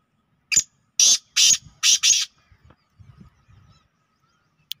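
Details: A black francolin recorded on the evening of 24 June 2023 gives five loud, harsh, grating notes in quick succession over about two seconds, followed by faint low murmuring and a sharp click.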